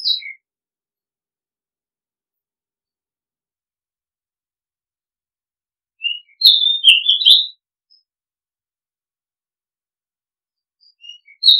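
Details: Oriental magpie-robin song: a few isolated whistles, then a loud, tangled phrase of quick slurred notes midway, silence, and another phrase starting at the close.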